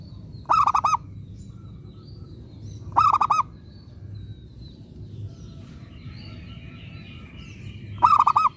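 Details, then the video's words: Zebra dove, local bird used as a lure to provoke song from other doves, repeats a throbbing four-note coo phrase three times at uneven intervals; faint higher chirps in the pause, steady low hum. "Pekutut lokal gacor RAJA PIKAT ini ahlinya bikin semua burung perkutut gacor nyaut"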